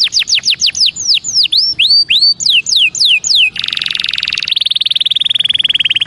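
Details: Belgian canary song meant for warming up young birds: a string of clear descending whistled sweeps, followed by a dense buzzy roll and a fast steady trill.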